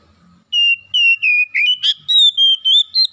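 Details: Lure song of an oriental magpie-robin, used to wake up a bird that will not sing: a series of clear whistles, steady at first, then a buzzy note and higher rising slides.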